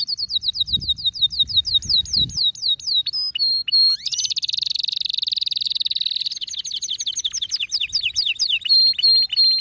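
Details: Worked-up male canary sings descending note trills, a brief twangy call, then a long buzzing high tour before returning to crisp repeated slurred notes; a low thump or two early on.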